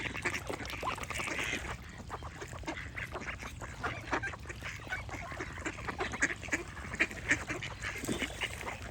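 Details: Ducks quacking in a dense, overlapping chorus of short, nasal calls, with songbirds singing throughout and a steady outdoor hiss in the background.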